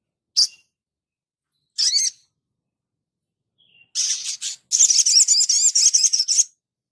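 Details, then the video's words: Sogon, a vigorous singer, in a recording made for training other birds: two isolated high chirps, then a long fast series of sharp, slurred high notes at roughly four per second. "Langsung nyaut Sogon gacor"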